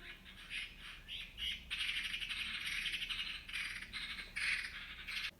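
A magpie chatters in harsh, rattling bursts, a fast dry run of notes that stops and starts over about five seconds, with faint hiss behind.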